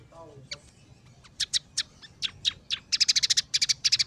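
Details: Scaly-breasted munia singing with sparrow, red siskin and canary filler phrases. Scattered sharp chips quicken into a fast burst of loud, clipped high notes, with faint background hum.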